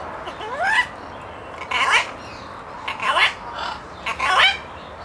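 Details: Talkative parrot vocalising loudly: a rising whistled slide, then four rich, buzzy, voice-like bursts with wavering tones, each about half a second, separated by short pauses.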